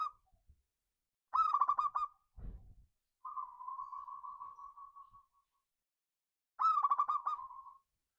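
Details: Local Indonesian zebra dove singing in ngayer, kerot and nutut styles as a lure recording, recorded 2/5/25: rapid bubbling trilled coos alternate with a long steady hollow note, plus a low thump.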